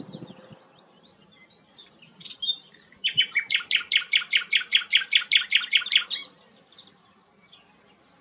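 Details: A sikatan londo flycatcher in full song. Soft high twittering leads into a long loud series of about fifteen buzzy, evenly spaced notes lasting three seconds, then fades back to quiet thin chirps.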